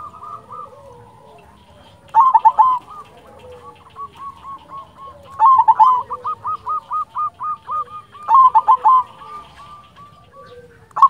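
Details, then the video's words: Local silver zebra dove singing actively: loud stuttered opening notes followed by long runs of evenly spaced, hooked cooing notes, the phrase repeated three times with quiet pauses between. "Perkutut silver gacor"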